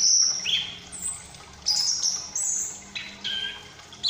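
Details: Young captive Chestnut-capped thrush, Malang, learning to sing: sustained very high whistles alternate with lower falling notes, in spaced phrases.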